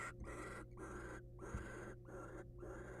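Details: Wild barn owl at a nest box, the male bringing a mouse home to his female; a near-continuous rasping hiss broken by brief pauses about every half second, over a steady low hum.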